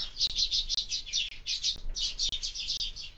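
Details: Sparrows at a window-mounted bird feeder during breakfast, giving rapid runs of high, bright chirps in quick bursts with brief gaps, and faint knocks in between.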